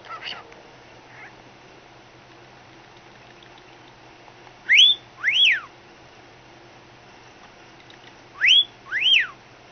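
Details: Pet cockatiel imitating a phone ringing indoors: two pairs of sharp whistles, each note sweeping steeply up then down, pairs spaced about four seconds apart over quiet room hum.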